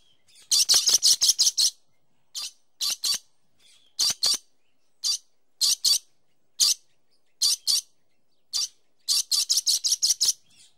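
Harsh, high screeches from a dusky lory, some in rapid bursts of five or six, others single or paired, spaced about a second apart.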